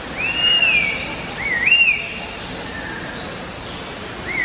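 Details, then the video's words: A laughingthrush gives clear, slurred whistles, a few arched rising-and-falling notes in quick succession, then fainter whistles trailing off over a soft background hiss. "Trochalopteron – Laughingthrushes Bird"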